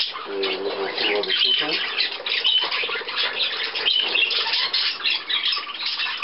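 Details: On 17 May 2010 budgerigars at millet, visitors from Leer present; a human voice opens, then many birds keep up a dense high chatter of squawks and chirps with a few clear whistled notes.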